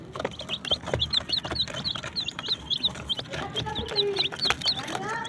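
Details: Desi chicks peeping with a colored hen: high, short downslurred chirps over a noisy background with thumps and clicks, plus some lower drawn notes near the end.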